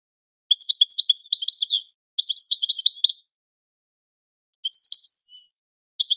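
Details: European goldfinch in training song, two bursts of bright, scratchy twittering notes separated by a brief pause, followed by a longer silence and a few isolated high chirps; no other sound present.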